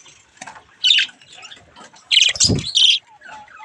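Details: Baby budgies playing at a mirror give sharp, high scratchy squawks in two loud bursts, with softer chatter between them and a brief low thump midway.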